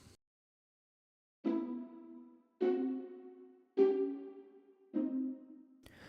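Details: Four ringing, bell-like chimes struck about once a second, each fading slowly, with no animal voice heard.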